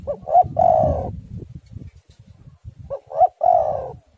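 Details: Spotted dove song meant to lure and prompt doves to sing: two close phrases, each two quick hooting notes then a long vibrating coo, over a steady low rumble.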